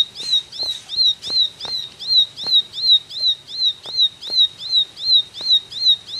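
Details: Ashy tailorbird singing the rapid 'tembakan' style: bright, high chirps that slur up and then down, repeated nearly three times a second in an even rhythm, with scattered light taps behind.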